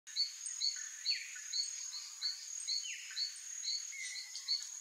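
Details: Guira cuckoo, a gregarious bird, giving an alarm call: short, high, slurred notes repeated about twice a second, with occasional lower descending calls, over a steady high insect-like hiss.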